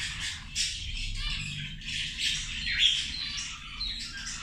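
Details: Zebra finches at lunch, feeding: a dense chorus of short, nasal, buzzy squawks and chirps from several birds overlapping continuously, with a few louder calls near the start and middle and a low background hum.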